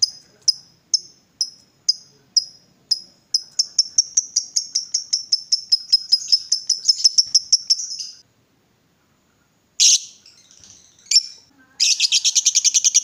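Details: Lovebird, excited and provoked: high sharp chips accelerating into a quick run of chirps, a pause, harsh squawks, then the start of a rapid buzzing ngekek chatter.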